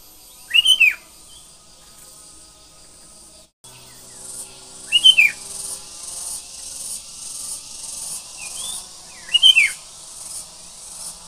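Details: A sooty-headed bulbul sings persistently in the morning, repeating a loud, bright, tumbling phrase roughly every four seconds, three times in all. A pulsing high insect chorus and a soft extra chirp accompany it.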